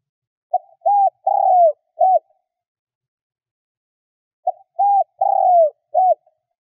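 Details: Decoy spotted dove calling to lure wild doves: two identical four-note cooing phrases, each with a long falling coo, separated by a silence of about two seconds.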